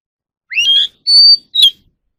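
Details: {'caption': 'Three loud whistled notes from a captive Oriental magpie-robin kept for voice training: a rising slurred whistle, a steady high pure tone, then a short sharp note.'}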